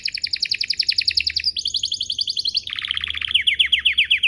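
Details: Lure song of a canary meant to make other canaries answer: fast rolling trill of repeated notes, shifting abruptly between tours, ending in a run of downslurred chips.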